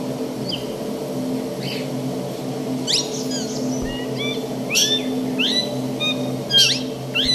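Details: ['Plum-headed parakeet calling: a run of short, sharp, high notes that slide downward, irregular and a second or so apart, over a steady low mechanical hum.']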